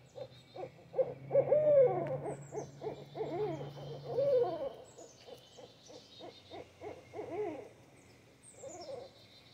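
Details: Two barred owls, a pair claiming territory, trade rapid, excited hooting and caterwauling, wavering notes in quick bursts, loudest early then fading, over a low droning hum.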